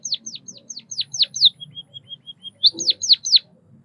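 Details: A white-headed munia sings several high downslurred whistles, then a few faint even peeps, and finishes with more loud falling notes.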